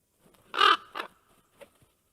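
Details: Common Ravens in Karula, Estonia, August 19, 2023, one arriving at the nest and ravens calling to each other: a loud, harsh, grating call, a shorter softer one and a faint third note within a second.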